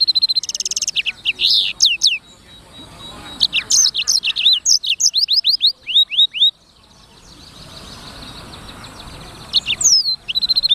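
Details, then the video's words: Black-throated canary singing: bursts of rapid high trills and series of quick downslurred chirps, pausing for several seconds before resuming, over faint background hiss. "BURUNG FINCH EDEL SANGER / BLACKTHROAT Suara Gacor"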